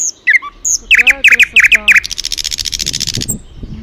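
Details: Loud bird song: a few sharp chirps, then five rich, slurred whistled notes about a quarter second apart, followed by a long, rapid buzzing trill that fades out.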